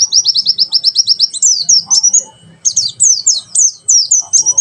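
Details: High, fast trill of evenly repeated chips from a white-eye, 'tembakan sejalur' song used to tutor birds, breaking into sharp downslurred whistles, a brief pause, then more piercing slurred notes.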